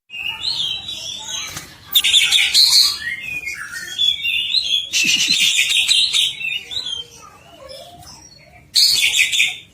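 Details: Greater green leafbird singing while agitated: a dense, high, chattering and whistled jumble of notes, with loud bursts around two, five and nine seconds and rustling noise underneath.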